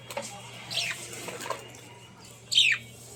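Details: Budgerigars chirping, played to ease stress in lonely birds: two short, sharp chirps sweeping downward from high pitch, one near the start and a louder one near the end, over a steady low hum and hiss.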